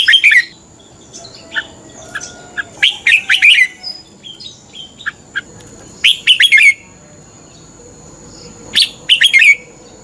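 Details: Red-whiskered bulbul fighting song used as a decoy for morning singing training: short bursts of bright, warbled notes around two to four kilohertz every few seconds, with faint chirps from other birds between phrases.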